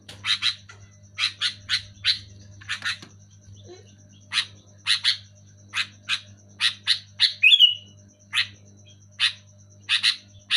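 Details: Sooty-headed bulbul (kutilang) singing loudly: short, harsh chirping notes in clusters of two or three, repeated every second or so, with a faint steady high tone and a low hum in the background.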